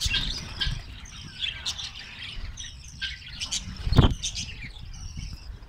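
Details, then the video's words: Karachi colony of Australian parrots chattering in a thin high twitter, with one loud sharp thump near the end and a low rumbling background. "Australian Parrots Colony"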